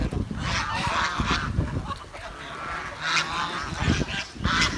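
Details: Village swan giving harsh, nasal honks in clusters, a couple of thin squeaky notes near the end, with low rumbling noise throughout.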